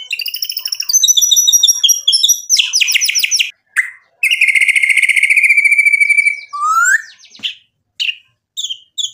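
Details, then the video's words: White-rumped shama in full varied song meant to stir a rival to sing back, with fast trilled notes, a long buzzy rattling stretch, then a rising slurred whistle and scattered sharp chips. "MURAI BATU GACOR memancing EMOSI lawan jadi NYAUT GACOR"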